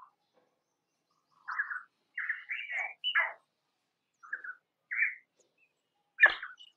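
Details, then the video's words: Painted spurfowl calling in peninsular Indian scrub forest: a series of short, raspy chirped phrases spaced roughly half a second to a second apart, ending in a sharp, louder note. "Painted Spurfowl Sound - Painted Spurfowl Singing - Painted Spurfowl Call - Painted Spurfowl Voice"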